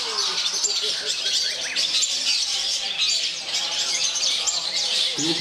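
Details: Long-tailed shrike singing in a bird song competition in Yogyakarta, a winning bird; dense, continuous high scratchy chattering and twittering with mimicked notes, amid a loud crowd of other competing birds and background voices.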